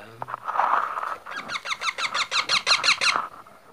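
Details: Baby parrot's rapid run of rasping, downslurred squeaks, about three per second, rising out of a muddled, noisy start with a low hum and background rumble.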